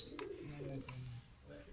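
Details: Pigeons in a loft being painted with colour give low, soft cooing notes lasting under a second each, with brief thuds and a murmur of human voices behind.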